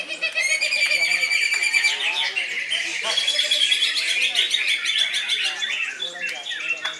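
A greater green leafbird pours out a loud, fast, high song of varied whistles, trills and chatters with scarcely a pause, with faint voices behind.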